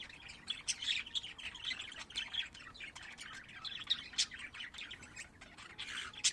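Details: Pet budgerigars kept at home: steady, lively warbling chatter with quick chirps, squeaks and occasional louder sharp notes throughout.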